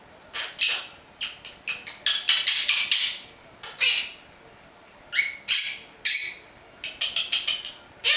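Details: Pet monk parakeet kept at home, which says its own name and words such as amore, bacio and vieni qua, producing a rapid run of harsh, chattering squawks and clipped word-like syllables with short pauses.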